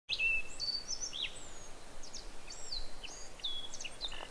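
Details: Japanese Yellow Bunting singing, overlapped by a Black-faced Bunting: high, thin whistled notes and short slurred phrases with quick buzzy chips repeated across the clip over steady low rural background noise.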